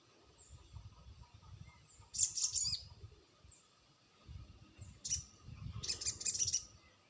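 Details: Crested jay calling as a lure to provoke a reply: two bursts of quick, high, jangling notes several seconds apart, with low rumbling noise beneath.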